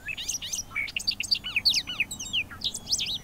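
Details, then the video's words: Bobolink singing a rapid, bubbling, tinkling jumble of high metallic notes, leaping up and down in pitch without pause, over faint low background hum. "Bobolink calls and songs"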